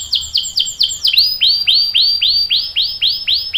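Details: Caged canary in 'ngerol' rolling song for prompting young birds: clear, evenly spaced downward-swooping whistles, about four per second, with a slight drop in pitch midway.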